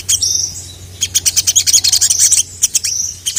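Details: Ruby-cheeked sunbird, a caged male calling to challenge rival males: high, thin whistled notes, then a fast run of sharp repeated chirps from about one second onward, ending with another thin whistle, steady low hum underneath.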